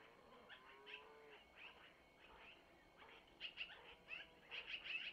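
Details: Long-eared owl owlets being fed by their mother at a Missoula nest: faint squeaks and a short low tonal note at first, then louder rapid high chirps building toward the end.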